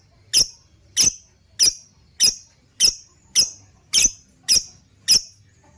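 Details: Lovebird repeating strident, squeaky chirps at a steady pace of nearly two per second, played as training material for other birds, with a quiet background.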